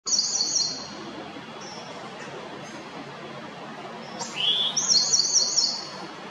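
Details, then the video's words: Wren song: a bright, very high rapid trill of tinkling notes, then a short pause, a downward-slurred whistle and another high buzzy trill, over faint background hiss. "Canto de Chivirín"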